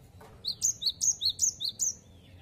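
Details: Rapid, bright 'wucit wucit' phrase from a cinereous tit (gelatik batu): roughly eight high whistled notes alternating between two pitches in an even rhythm, ending with a thin descending trailing note, over low background hum.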